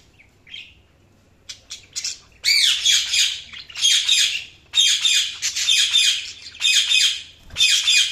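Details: Budgerigars chirping: a few soft high chirps, then loud, harsh, high-pitched chattering bursts repeated about once a second, six bursts in quick succession.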